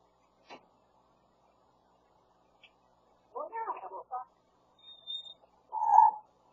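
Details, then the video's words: Pet grey parrot talking, imitating the voice of the owner's husband; short mumbled, voice-like phrases in a few bursts separated by silence, loudest at the end, with one faint thin whistled tone. "말 잘하는 회색 앵무새"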